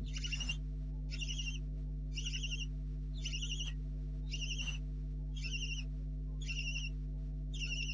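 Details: Nest-camera recording at 4:30 am on 4 July 2013 of barn owl owlets, probably two left in the nest. Eight harsh, breathy hissing snores come roughly every second in a steady series, with a constant low hum underneath.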